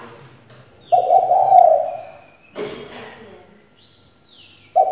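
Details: Decoy hen spotted dove calling to provoke male song: a single grainy, trembling coo about a second long, then a loud knock, with another coo just beginning at the end.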